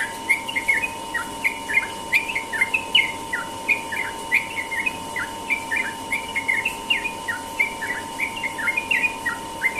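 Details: Sooty-headed bulbul in morning ropel song: quick, bubbly whistled notes that bend up and down, delivered in a near-continuous rapid chatter for ten seconds over a faint steady hum.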